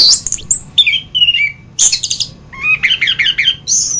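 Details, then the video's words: Masteran song of an orange-headed thrush: high sharp notes, whistled slurs, then rapid repeated trilled phrases and a long high whistle at the end. "Masteran Burung Anis kembang"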